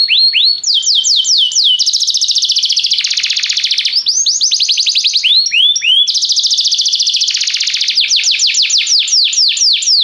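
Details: Restless canary delivering a continuous flow of song: swooping whistled notes, dense buzzy rolls and fast rattling trills switching from one to the next without pause.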